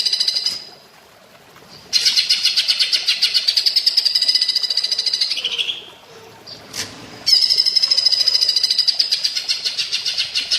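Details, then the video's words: Greater green leafbird delivering woodpecker-style rattles for bird training: repeated bursts of quick, piercing notes, each stretch several seconds long, separated by brief gaps with a short noisy thump. "Masteran cucak ijo rasa platuk bawang"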